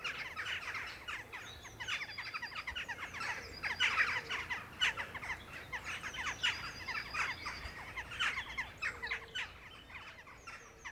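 A flock of Western Jackdaws chattering: short, sharp, metallic 'tchack' notes overlapping several times a second over a faint outdoor hush.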